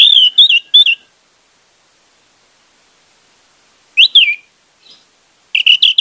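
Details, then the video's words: Orange-headed thrush song used as a lure to get a silent bird singing: quick bursts of whistled, warbling notes, a phrase at the start, another after a long pause, and a third at the end. "pancingan anis merah untuk anis merah macet"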